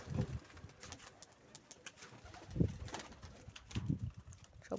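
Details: Pigeons released in the morning give low, soft coos in brief bursts, with scattered clatter and flapping between them.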